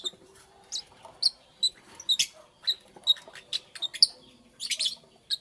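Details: Lovebird chirps recorded in the morning, short piercing high notes repeated roughly every third of a second, with a few harsher, noisier chirps mixed in near the end.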